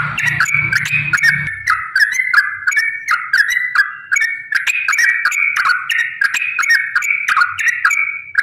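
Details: Long rapid 'ropel' song of a yellow-vented bulbul, used to provoke other bulbuls into singing: an unbroken stream of bubbly, slurred phrases several per second, with a short low rumble at the start.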